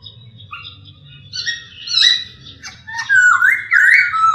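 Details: Masked laughingthrush (poksay hongkong) starting with soft, high scratchy notes that build into loud, clear wavering whistles, rising and falling in quick succession near the end over a faint low hum.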